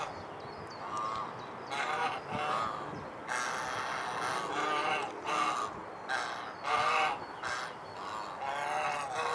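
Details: Domestic swan geese (Anser cygnoides) in Alkmaar, Holland give loud, nasal honks, several overlapping calls in quick bursts, with a harsh, rasping edge throughout.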